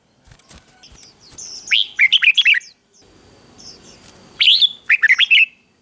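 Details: Red-whiskered bulbul in excited 'ché' competition song used to provoke males; after soft clicks, a quick string of bright, dipping warbled chirps, a noisy pause, then a second similar chattering phrase.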